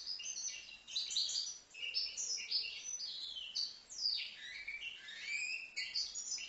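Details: European goldfinch, a young bird of five months from Livno, singing without pause: a bright, jangling stream of high twitters, rapid trills and short nasal buzzes in varied quick phrases.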